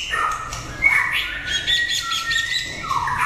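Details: White-rumped shama, a prize-winning competition bird, sings sweet whistles. A sharp rising note is followed by a long steady tone and a lower descending phrase, with faint chatter in the background.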